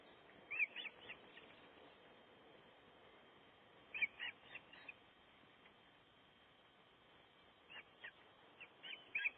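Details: Osprey nesting in Gribskov, heard from a live nest camera during nest building: short clusters of high, clipped whistled chirps arrive in three bursts several seconds apart over a steady background hiss.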